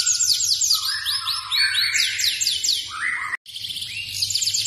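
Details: Singing F2 Yorkshire canary delivering varied phrases: rapid high trills, slurred lower whistles and a short mid-pitched rolling section, cut by a brief silent break near the end before the trilling resumes.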